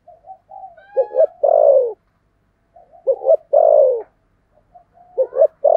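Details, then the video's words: Spotted dove used as a decoy, voiced in the 'thổ' style: three repeated phrases, each soft lead-in notes, a quick double coo, then a long, descending coo, about every two seconds. "Chim Cu Mồi giọng THỔ"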